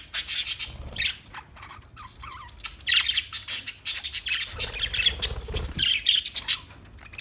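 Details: Parakeet chirping and chattering almost continuously, sharp high notes mixed with buzzier squawks and a few short gaps.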